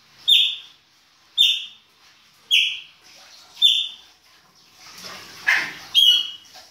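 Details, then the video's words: Chopi blackbird singing the baianinho style in winter: a loud whistled note with a downward slur, repeated roughly once a second six times, with a brief noisy burst near the end. "PÁSSARO PRETO BAIANINHO E SUAS CANTORIA DE INVERNO"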